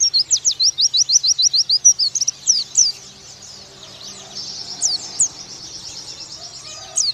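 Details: Oriental white-eye singing 'nembak' for a young-bird training master: a rapid, regular run of high, thin chirps, then quieter twittering broken by occasional single sharp notes.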